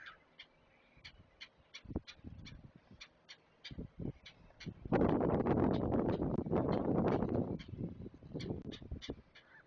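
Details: Young great blue herons being fed at their Chesapeake nest, picked up by a live camera: rapid dry ticking, about three per second, with a loud rushing, rustling stretch in the middle.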